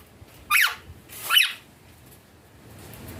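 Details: Two brief, shrill, downward-sliding squawks from an Indian green ringneck parrot calling naturally with its owner, about three-quarters of a second apart, followed by quiet.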